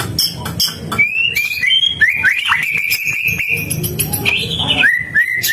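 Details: White-rumped shama singing, described as a prized, highly vocal bird; a long run of clear whistled notes holding near one pitch with quick upward and downward slurs, mixed with sharp clicks and a low rumbling background hum.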